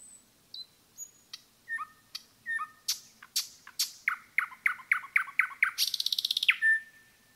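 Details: Forest nightingale song building from scattered high whistles into a sequence of repeated sweeping chirps that speed up, ending in a rapid buzzy rattle and a low drawn-out whistle.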